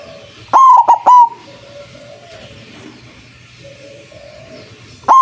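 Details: White zebra dove with a big voice, used to lure doves for trapping, gives a three-note stuttering coo. A second phrase begins after about four seconds, with soft, thin calls in between.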